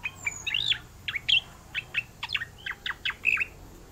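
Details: Oriental magpie-robin in vigorous rolling song: a rapid run of sharp chirps and short upswept whistled notes, about three a second, with a few squeaky, buzzy twists, against a quiet background.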